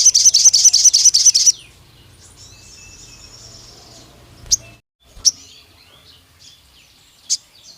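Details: Agitated pied fantail, a lure song meant to provoke other fantails. A quick run of about nine loud, squeaky high notes lasts a second and a half, followed by faint background birds and a few sharp clicks.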